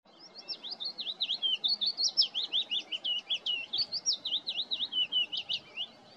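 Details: Willow warbler singing: a long run of high, sweet whistled notes, each slurred up or down, delivered rapidly and steadily with faint low background noise.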